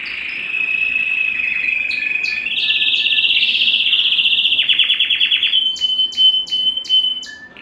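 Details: Belgian canary singing, a song meant to stimulate the male and excite the female for mating: a steady buzzy tone, then a fast rolled trill higher up, a sudden drop, and finally separate upswept notes, loud and clear.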